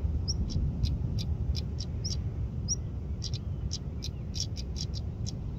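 A stonechat gives hard, pebble-knocking tak clicks at an uneven quick pace, with a few thin high whistled notes, over a steady low rumble of wind.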